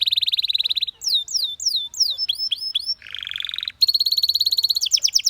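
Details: Singing canary: a rapid high trill, then sliding downward whistles, a dense buzzy roll lower in pitch, and a closing run of very fast, bright repeated notes.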